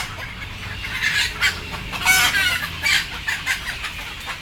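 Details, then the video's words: Frightened, sleepy chickens awaiting loading make a blurred run of overlapping raspy squawks and clucks, loudest near the middle, amid constant flock noise. "Sound of sleepy Chicken"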